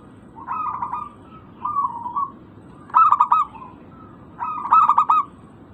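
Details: Local zebra dove heard on a lure track meant to make quiet birds respond: four cooing phrases, softer at first and then louder, each a quick stutter of clipped notes sliding into a short even trill.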